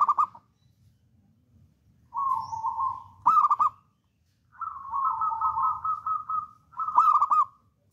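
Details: Caged local wild-type zebra dove used to lure other doves gives steady mid-pitched coos broken by sharp trilled, stuttering notes, some phrases drawn out into long wavering coos.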